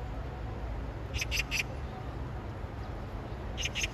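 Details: An Oriental magpie calling for its mate, bathing and splashing water over itself between calls. It gives harsh, rasping chatter: a quick burst of three notes, then two more near the end, over a steady low rumble.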